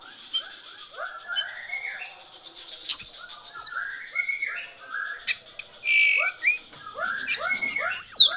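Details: Oriental magpie-robin, konslet song style: scattered high whistled flicks and drawn-out notes mixed among busy rising chirps from lower voices. A faint high-pitched hum runs continuously.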